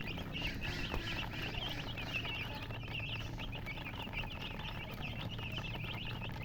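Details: Several coloured baby chicks chirping nonstop, their thin high peeps overlapping into a busy twittering band, with a constant low hum underneath.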